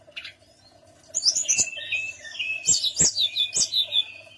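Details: Tledekan gunung song used as a lure to make other birds answer: after a faint opening chirp comes a burst of high, sweet warbling phrases with sharp clicks, then a series of rhythmic, repeated high notes over a low hum.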